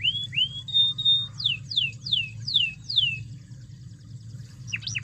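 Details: Lure recording of canary song to stir a reluctant bird into full song: rising whistled notes and a flat tone, followed by five loud descending slurs, then near-quiet with a final short chirp.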